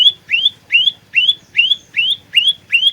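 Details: Persistent lure song of an olive-backed tailorbird used for trapping, a fighter type: seven bright rising chirps in quick, even succession, each sweeping upward and ending on a ringing high note.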